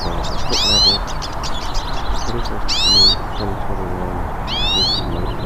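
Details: In nature, several hooded siskins sing. Bright rising slurred whistles repeat roughly every two seconds, mixed with scattered chirps, while lower murmuring sounds continue below.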